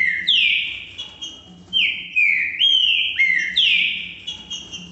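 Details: A green-winged saltator (Saltator similis) sings loud, rich whistled phrases of several sliding notes that swoop down and up, delivered back to back, over a faint low hum.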